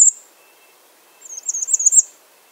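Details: Bay-breasted warbler calling: one sharp, very high tick, a pause, then a brief run of thin, wavering, lisping notes that grow louder before stopping.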